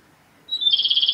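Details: A male Japanese robin at Yanagisawa Pass on April 28, 2019 sings one thin, high note, then breaks into a fast, even rattling trill, against quiet surroundings.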